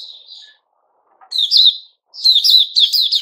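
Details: White-rumped shama song from 29 August 2021: a soft whistle, a brief pause, then loud rolling phrases of rapid rising and falling whistles and chips.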